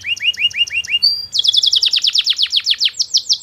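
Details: Canary tutor song for prompting other canaries to reply: a series of upswept chirps, a brief whistle, then a long fast run of rapidly repeated sweeping trill notes, low hum beneath.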